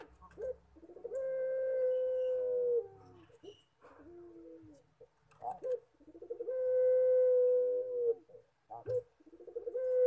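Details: Collared dove of the puter pelung type singing its eerie "horror" style coo: rattling stuttered notes swell into a long steady held tone of nearly two seconds, then a falling tail, repeated twice.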